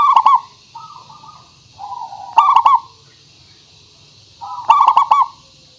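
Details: Local zebra dove used as a lure for calling other birds: three rich rolling coo phrases, each repeated about every two and a half seconds, with soft lower coos in the gaps.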